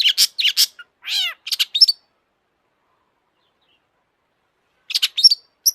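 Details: Long-tailed shrike in full, excited song: harsh high chatter and a rising-falling slurred whistle, then a pause of about three seconds before more sharp chips.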